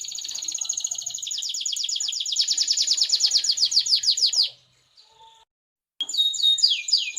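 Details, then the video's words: Canary song meant to get other canaries singing: a long, bright, rapid trill of descending buzzy notes building in loudness for four seconds, a brief silence, then a new sweeping whistled phrase. "BURUNG KENARI LAIN, PASTI IKUT BUNYI DENGAR SUARA JERNIH INI"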